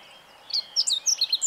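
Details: Meadow bunting song from 20 March 2015. After a brief quiet start comes a fast string of bright, high, sharply separated notes that runs to the end.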